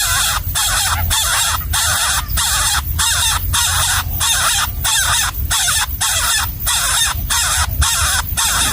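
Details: Hungry nestling in its nest in the wild, fed a gecko by its parent: harsh, raspy, broadband calls repeated in steady bursts about every half second with short gaps, loud and continuous throughout.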